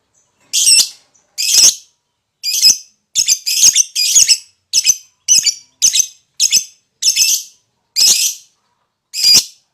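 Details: Excitable lovebird in ngekek singing, meant to draw song from other lovebirds: harsh, high, buzzy chips given singly or in quick doubles and triplets, roughly one burst per second, with clean silence between them.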